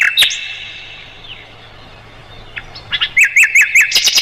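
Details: Mugimaki flycatcher, tutor song for songbirds: a high whistle, a long quiet gap, then four quick zigzag chirps and a closing flurry of sharp high notes.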